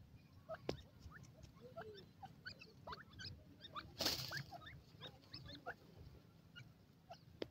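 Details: Captive baby pheasants raised for profit, playing: many short, quiet peeps and chirps scattered throughout, some rising, over low rumbling background noise, with a brief loud rustle midway.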